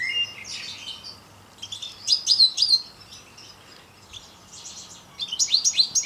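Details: A parva goldfinch sings in short bursts: a brief twitter at the start, a bright tinkling run near the middle, a pause of soft chatter, then another rapid chirping burst at the end.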